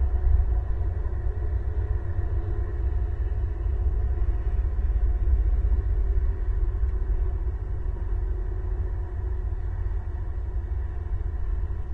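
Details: Steady low rumble and wind-like noise throughout, with no animal calls.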